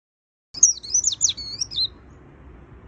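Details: After a half-second of silence, a white-eye delivers a quick, high, twisting phrase of thin sliding whistles and twitters lasting about one and a half seconds, then a soft low hum remains.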